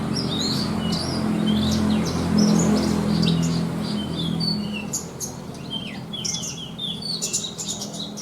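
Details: Contest-trained branjangan, or Javan bush lark, delivering a luxurious 'isian' song of mixed material: scattered sharp chirps, high ticks and short downslurred whistles in fast irregular succession, with a low droning hum underneath.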